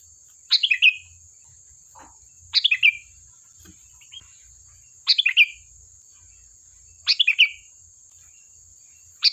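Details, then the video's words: Repeated lively song of a sooty-headed bulbul played to get other birds to answer: five quick chortled phrases of falling notes, roughly every two to two and a half seconds, with a steady high whine. "Suara burung Kutilang Gacor"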